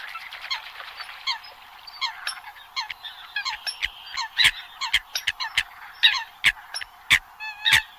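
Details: Eurasian coot giving a busy series of nasal, honking calls with stacked overtones. Short notes come unevenly, roughly every second or two, and grow louder and denser toward the end, with sharp clicks in between.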